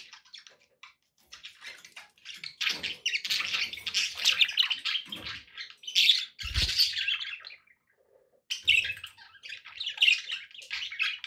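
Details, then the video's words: Budgerigars kept as pets chatter almost nonstop: a dense, buzzy, high-pitched warble of chirps and squawks that breaks off briefly twice, with a single dull knock near the middle. "relaxing budgie sounds"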